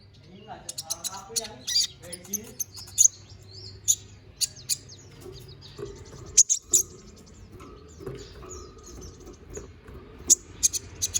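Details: Konin bird singing in full, a recording meant as a training song for magpie-robins. High chirps come irregularly and sometimes in pairs, with softer twittering between them.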